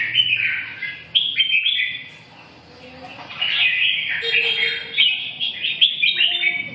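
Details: Song of a red-whiskered bulbul, cheerful whistled warbles in two bursts separated by a quiet pause, the second burst longer and more varied.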